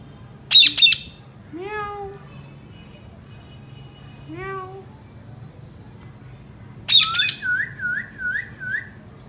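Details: Indian ringneck parakeet in its natural voice: loud harsh double screeches, two drawn-out descending nasal calls, then a screech that runs into a bouncing, wavering whistle repeated about five times. A faint low hum is present.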